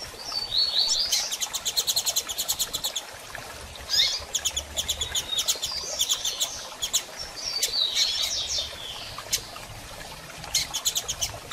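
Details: Female double-collared seedeater soliciting mating, giving high thin calls repeatedly amid near-constant bursts of rapid fluttering clicks across the whole stretch.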